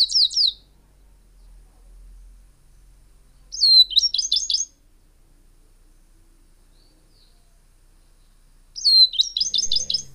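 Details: Tricolored brushfinch song: three high, rapid phrases about four seconds apart, each a thin, sharp slurred note followed by a quick run of bright chips, with near silence between.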